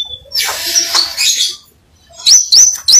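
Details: Crimson sunbird, singing vigorously (gacor), gives a burst of scratchy, noisy chatter, goes briefly quiet, then delivers three loud, high upslurred notes in quick succession.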